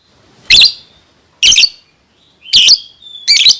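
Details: Lovebird song used to encourage young birds to sing: four loud, harsh, buzzy squeaking chirps roughly one second apart, with a brief thin whistle between the last two.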